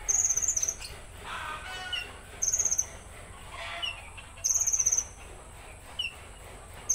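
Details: Konin in 'tembakan kasar' rough burst style: three evenly spaced high rattling bursts about two seconds apart, separated by soft thin whistles and brief chips.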